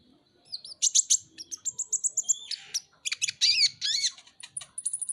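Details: Pet Van Hasselt's sunbird (kolibri ninja) in hurried chattering song, a jumble of sharp high chips, thin piercing whistles, a short downward buzzy slur and quick twittering notes packed closely together.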